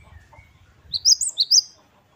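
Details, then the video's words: Great tit singing in the 'wucit-wucit kristal' style, known locally as gelatik batu wingko: a short burst of four high, sharp rising-falling whistled notes in quick pairs, with faint low background rumble beforehand. "Gelatik Batu Wingko Gacor | WUCIT2 KRISTAL | Great tit birds | Parus Major"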